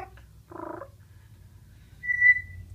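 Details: Pet male military macaw indoors, excited by bathroom towels, laughing and cooing: a short, throaty, nasal coo, then a second later a clear, steady, high whistle over quiet room hum.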